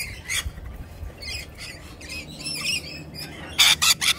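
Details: Rainbow Lorikeets clustering on a person's arm make scattered short shrill squawks, ending with three loud rasping bursts close together.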